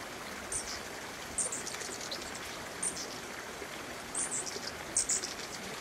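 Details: In July 2021 at the Ensifera Camp garden in Peru's Sacred Valley of Cusco, a territorial Giant hummingbird with pollen on its forehead and bill gives sharp, very high single chips about a second apart over a rushing stream.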